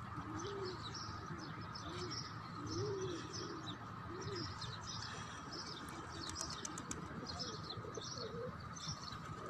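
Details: Pigeons and doves outdoors in nature: soft low rounded coos repeated about every second, with faint high chirps and twitters from other small birds above a steady background hum.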